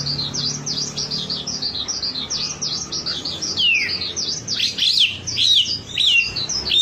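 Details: Wambi singing as a lure to get birds singing: a quick series of high V-shaped chirps, then louder falling slurred notes and sharp twitters toward the end.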